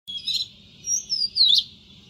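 An Oriental magpie-robin sings high, clear whistled phrases with sweeping rising and falling slurs, a few quick notes in two seconds over a faint low hum.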